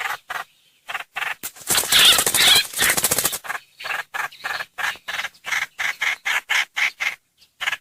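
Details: Streak-eared bulbul lure call: a dense burst of loud, wavering chatter, then a long train of short clipped notes repeated about twice a second.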